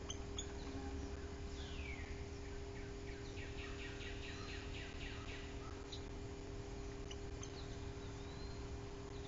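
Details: Three Northern Flickers, a chatty group visiting a Bald Eagle nest in Bluff City on 24 July 2023, give a quick run of repeated slurred notes through the middle, over a constant low droning background.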